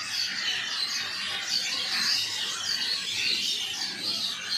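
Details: Many birds chirping together: a steady wash of bright, high-pitched tweets and trills, overlapping densely and holding an even loudness throughout.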